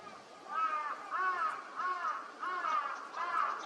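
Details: Eurasian wigeon (Mareca penelope), a wintering visitor, at a park pond in Chiba, Japan, in February 2025, gives five whistled, slightly falling calls about two-thirds of a second apart over soft calls of other waterfowl.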